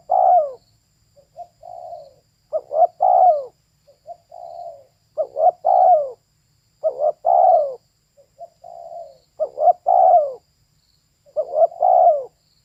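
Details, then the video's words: Repeated calling of a female spotted dove: five or six phrases, each a short doubled note leading into a sustained descending coo. Quieter single coos fill the gaps. The setting is clean and still, with no other sounds. "เสียงนกเขาใหญ่/Suara Burung Tekukur"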